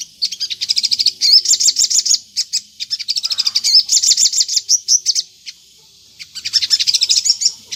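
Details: Crimson Sunbird (sogon) lure song in 'gacor ngleper' style, meant to prompt other sogon to respond: fast strings of high, metallic chirps and trills, with a silent pause near six seconds, then more twittering.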